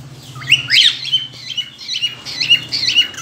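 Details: Mating whistling from a cockatiel ready to breed: a few loud, harsh squawking notes with sliding pitch, then softer scattered chirps, over a low background hum.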